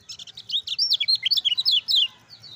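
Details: Lemon-bellied white-eye singing its lively 'ciak ciak jos' master song for prompting reluctant birds: a few clipped chips lead into a rapid chain of high, zigzagging whistled notes.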